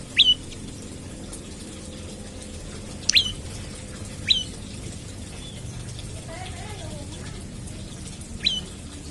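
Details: Olive-backed tailorbird morning call meant to set other birds singing. Four isolated, sharp, falling whistled notes are separated by long pauses, with a soft murmur of background noise.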